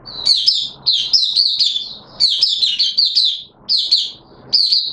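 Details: Caged oriental white-eye (mata puteh) singing during wet weather as a hobby bird: loud, clear, high warbled phrases, each about half a second, repeated with short pauses.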